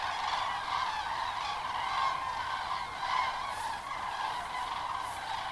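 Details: Thousands of common cranes flying at sunset into a nearly empty reservoir basin at Kelbra to roost during their stopover, after 17:00 on 31 October 2015, hazy evening; a dense, continuous chorus of overlapping trumpeting calls with rich harmonics.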